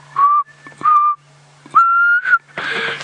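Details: Black cuckoo (Cuculus clamosus) calling from a river bed during an evening game drive in a South African reserve, November 2016: three mournful whistled notes, the last longer and higher, over vehicle engine hum and rustling.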